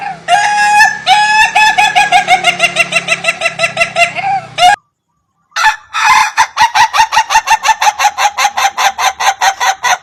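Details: Rare Indonesian laughing chicken crowing, a crow said to sound like laughter: a long run of rapid pulsed cackling notes, about three per second, breaking off briefly, then resuming as a harsher stuttering series.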